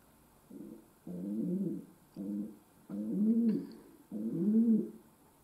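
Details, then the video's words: Pet domestic pigeon cooing in five low, throaty phrases, each a rolling, rising-then-falling coo lasting about half a second to a second, separated by short pauses; a faint camera hum runs underneath. "My Pigeon Pearl Gave A Concert"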